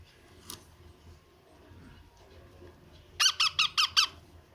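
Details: Young parrot at feeding time giving a quick burst of five rasping, squeaky calls about a fifth of a second apart, after a faint earlier squeak and quiet background.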